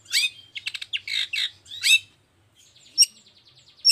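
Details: Long-tailed shrike in energetic 'toet toet' song, used to set off other shrikes: dense harsh buzzy notes and two loud slurs, then a quiet, evenly repeated series of soft ticks punctuated by sharp high accents.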